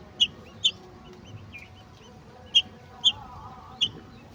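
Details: Golden oriole feeding a mantis to its babies utters five clear, sharp high chips, two close together and then three after a pause, with faint low background sound.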